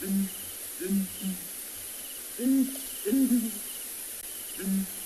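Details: A breeding pair of Southern Ground Hornbills (Bucorvus leadbeateri) at Ngala, South Africa, on a morning of 29 December 2020 trade deep, hollow booming calls, single and doubled notes about a second apart, over soft hiss.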